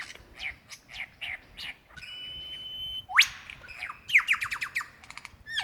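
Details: Male lyrebird calling for his mate, Dandenong Ranges, Victoria, Australia, February 2016: spaced soft chirps, a long flat whistle, a loud rising sweep, then a fast series of descending ringing notes.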